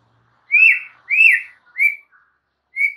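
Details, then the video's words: White-rumped shama recorded as a master for caged birds, singing vigorously: four sweet whistled notes, the first two long and arched, the last shorter and level, spaced about half a second apart. "MASTERAN mUrai batu GACOR"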